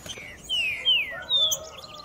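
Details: Green-winged saltator singing 3 nota boi: three long, clear whistles, each gliding gently downward, spaced about half a second apart over quiet background chirps.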